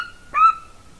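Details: Female golden eagle at the nest, Latvia, 30 January 2019, via nest camera: one brief, bright yelp that trails into a thin, steady whistled tone.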